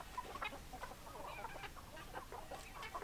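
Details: Hens clucking in a flock, with overlapping short clucks and murmuring cackles in a steady, busy stream and a low background hum.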